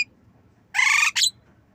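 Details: Javan myna, nodding as it learns to imitate a cough: a harsh, rasping half-second burst with stacked harmonics, then a second shorter rough note right after, against a quiet room hum.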